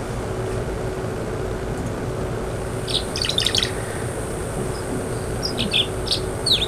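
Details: Tree swallow, a relative of the purple martin, singing: two short bursts of high, liquid chirps and twitters over a steady low hum.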